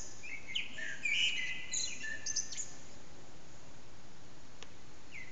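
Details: Early morning blackbird song around 4:40am, echoing backyard, recorded by phone: one short burst of warbled whistles and high twitter in the first half, then near silence with faint hiss and a brief click.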